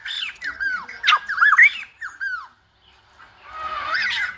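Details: Silver-headed babbler song: a quick series of curved, slurred whistles and squawky notes for two and a half seconds, a brief silence, then a softer wavering phrase over faint background noise.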